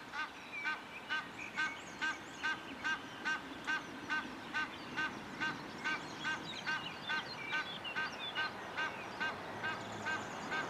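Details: Calling Egyptian goose by the Moselle, Rhineland-Palatinate, Germany, giving a steady, regular run of harsh, nasal honks roughly every half second for ten seconds, with faint twittering of small birds behind.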